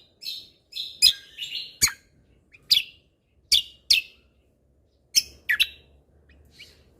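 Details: Lesser green leafbird (cucak kombo) in lively 'tembakan' shot-note song: brief twittering phrases followed by single sharp whip-like falling notes at irregular intervals, with a faint low hum at times.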